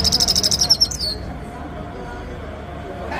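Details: Grey-headed goldfinch giving a rapid run of about ten short, high chirping notes, evenly spaced over the first second, described as 'chir chir', followed by quiet background hiss.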